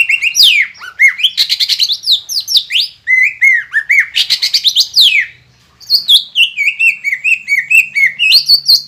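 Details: Green leafbird (cucak ijo) in full, prolific song, used as a lure to provoke other birds into singing: loud whistled slurs and sweeping notes with rapid chattering, a short pause near five seconds, then a rising series of repeated whistles.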